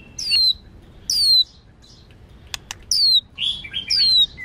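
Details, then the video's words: White-rumped shama female singing to stimulate males, in a training recording: separate high whistles that swoop down, repeated about once a second, with a few soft chirps and clicks between. "Luyện Chòe Lửa HÓT NHIỀU GIỌNG HAY + MÁI HÓT Kích Trống"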